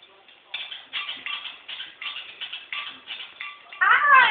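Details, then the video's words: Five-year-old pet Moluccan cockatoo laughing: a series of raspy, human-like ha-ha bursts spaced roughly every third of a second, finishing with a louder, harsher rising squawk. "Cockatoo laughing"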